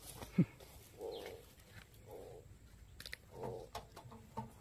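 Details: Spotted dove from Cà Mau, Vietnam, giving a well-structured đồng gù coo: three soft, low, hollow coos roughly a second or more apart, with scattered clicks and faint background noise between them.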